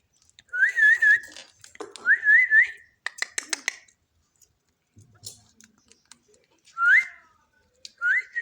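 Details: Parrot eating and talking: bursts of wavering, trilled whistles swing up and down in short phrases. A run of dry clicks and taps falls between them, and brief rising whistles follow after quiet gaps.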